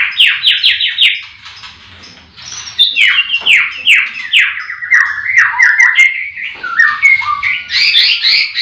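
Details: Morning chorus at a white-rumped shama breeding farm with the caged birds all singing. Quick repeated chipping notes open into tumbling whistled and warbled phrases. Further songsters overlap in the background.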